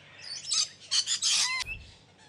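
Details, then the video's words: Captive exhibition budgerigars giving a short burst of harsh, buzzy chatter: several rapid scratchy notes with arching tones, ending in a clearer rising whistle-like call. "Parrot Natural Voice | You Can Hear Different Types of Sounds | Parrots Talking Sound"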